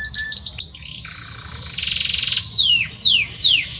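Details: Belgian canary, a male singing much to his female: high whistles, a sustained buzzy trill, then a series of sharp steep downward-sweeping notes.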